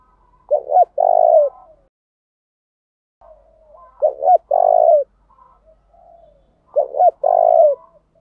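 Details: Spotted dove decoy calling to draw in and provoke wild doves into a singing duel. Three rhythmic phrases, each a short stuttered pair then a long low coo, with soft fainter coos trailing between.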